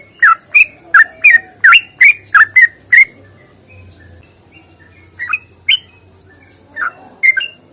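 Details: Long, rapid fighting song of a sooty-headed bulbul, used to get other bulbuls singing. Eight quick, loud whistled chirps in the first three seconds give way to softer, scattered notes and a faint low rumble.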